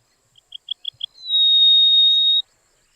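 Rosy-throated Longclaw song: five quick, high piping notes followed by one long, steady whistle held for over a second. No other sounds.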